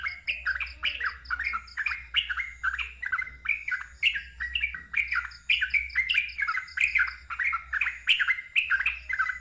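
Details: Sooty-headed bulbul in continuous ngeropel song, delivered loudly: short warbled phrases of mid-pitched slurs follow one another without pause, roughly two per second, with low background hum.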